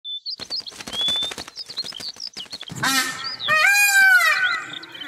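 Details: Peacock kept in a New Zealand garden or farm gives a loud, nasal, wailing two-part scream near the end, after rapid clicking chatter and a few thin high whistles; such calls reach about 115 decibels.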